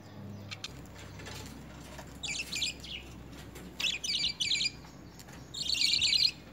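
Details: Lovebirds being hand-fed spinach and coriander in early hand-feed training, giving short clusters of scratchy, high chirps at irregular intervals, ending with a longer rapid chattering burst; quiet room noise between.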